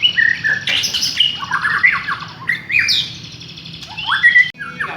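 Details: Village-type white-rumped shama song for luring other birds to sing: clear whistles interleaved with quick descending note clusters and sharp upslurs, one brief gap before the last phrase.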